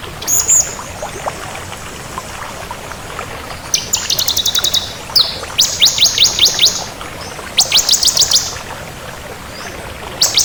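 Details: Active singing of a crystal bar-winged prinia: sharp high chips and short, fast ticking trills alternating with longer, very high rattled phrases, irregularly spaced, over a faint hiss.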